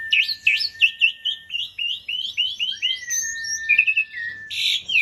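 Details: Asian pied starling (jalak suren) pouring out a dense, lively song: a stream of rising and falling slurred notes over a sustained steady whistle, ending in a rough buzzy burst.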